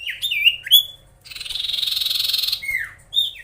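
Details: Actively singing common iora (cipoh) provoking rivals: two swooping whistled notes, then a long dry buzzing rattle of rapid pulses, ending with a falling whistle and a short rising note.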